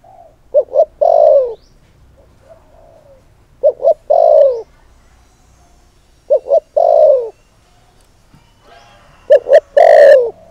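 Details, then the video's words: Spotted dove lure call to provoke males, four evenly repeated phrases roughly every three seconds, each two clipped coos then a drawn-out falling croon, the last one louder and harsher. "Cu Gáy Mồi Thúc || Gáy Gọi Kích Bổi Mới Nhất"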